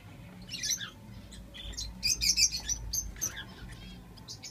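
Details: Five lovebird (Agapornis) chicks, all hatched at the same time, give rapid, harsh, high chirps and squeaks that overlap in irregular bursts over a low background hum.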